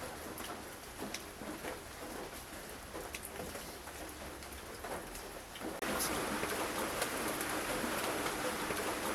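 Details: Rain patters on surfaces, then grows into a louder, steady downpour hiss, with no animal calls.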